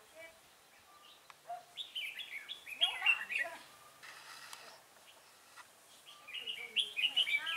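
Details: Red-whiskered bulbul during decoy trapping at Chùa Hương, 5 March 2018: fast bubbling whistled phrases building in loudness, a brief rustling noise midway, then more rapid chirping notes.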